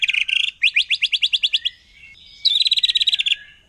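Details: Wild forest white-rumped shama singing in a way said to provoke other shamas: three fast phrases of rapid, buzzy, repeated high notes. A brief rattling burst is followed by a steady run of evenly spaced pulses, then a pause and another dense trill.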